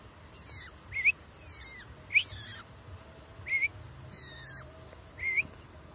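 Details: Long-tailed shrike calling in the wild: repeated harsh, noisy bursts spread across a wide pitch band, each followed by a short sharp rising note, six calls over about six seconds with pauses between.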